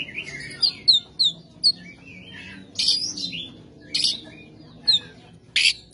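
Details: Kacer, or Oriental magpie-robin, in rough 'ngebyak' material: separate short high chirps and downslurred whistles at irregular intervals, with occasional loud harsh bursts between quieter spells.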